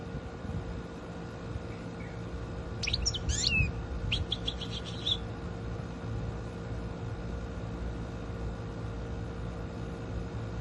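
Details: Tamed European goldfinch kept at home, responding to its owner's voice with a single burst of about two seconds of rapid, high, tinkling twitters and sharp chirps, then quiet with only a steady hum and low background noise.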